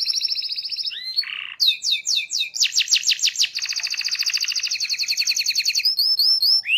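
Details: A canary sings continuously, used to teach young canaries: a short trill, a buzzy note, loud descending slurs, then a long, rapid, even roll and final upswept whistles.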